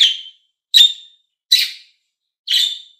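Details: Green and blue budgies calling: four shrill, grating chirps spaced under a second apart, each with a short trailing tail, in otherwise quiet surroundings.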